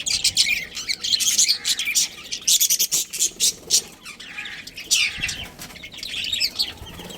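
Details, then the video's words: Budgies in a colony that includes a breeding pair chirp loudly in rapid, irregular bursts of harsh high twittering, roughly fifty bursts a minute, with brief pauses. "Cute Budgies Chirping Sounds"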